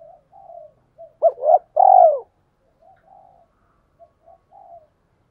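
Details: Decoy spotted dove calling in the gáy gọi and thúc styles for newly caught birds: faint low murmurs, then a clipped double coo and a loud drawn-out descending coo, followed by quiet soft cooing notes.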